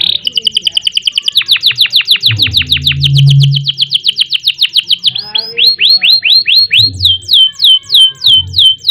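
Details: Canary (kenari) in gacor long-rolling song: a continuous run of rapid down-slurred whistles, several seconds long, then slower looping whistled notes and crisp descending chips; a brief low hum mid-way.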